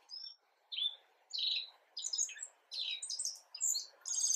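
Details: A black-faced bunting, recorded 10 April 2022, gives a subsong so polished it is almost full song: thin high chips, short buzzy phrases and twittery bits in irregular bursts over soft background rustle.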